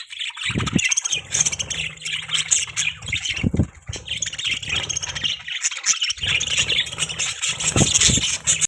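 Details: Budgerigar chatter: a steady, dense stream of shrill squawks and scratchy twitters throughout, punctuated by a few soft low knocks.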